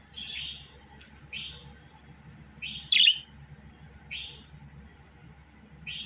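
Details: Budgerigar calls: separate buzzy chirps spaced one to two seconds apart, one louder, harsher note near the middle, quiet low hum behind.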